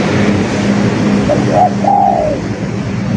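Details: Spotted dove song: a brief coo phrase of short lead notes followed by a long sustained coo that slides downward, over steady low-pitched background noise.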